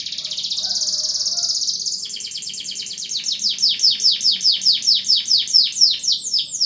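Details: Canary in full song, played to prompt silent canaries to sing again: a high continuous rolling trill, then a fast run of sharp downward-swept notes repeated about twice a second, with faint low background noise.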